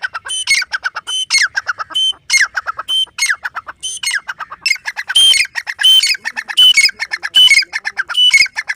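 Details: Loud, continuous calling of a grey francolin, locally called teetar: rapid harsh chattering bursts with piercing whistled peaks recurring roughly every half second throughout.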